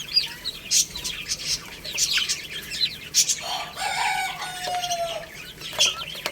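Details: Baby chickens at play and feeding: scattered high peeps and sharp taps, then a long descending rooster crow in the second half over continuing chick chirps.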